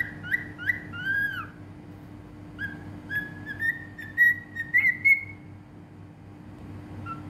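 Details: Cockatiel in Bahrain whistling a song: short rising whistled notes, then a longer run of clear steady whistles that climb slightly in pitch over a few seconds, with a faint steady electrical hum behind.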